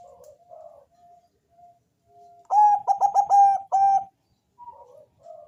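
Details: Bangkok-type zebra dove with a deep, bassy voice, sung to draw other doves into calling: soft scattered coos, then a loud phrase of about five rapid stuttering notes ending in a drawn-out coo, then quiet notes again.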